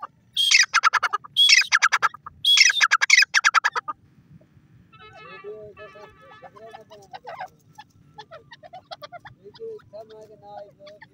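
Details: Male and female grey francolin calling. Three loud, harsh phrases in the first four seconds, each a rasping start then a rapid string of pulsed notes. Softer chattering and calls of other birds follow.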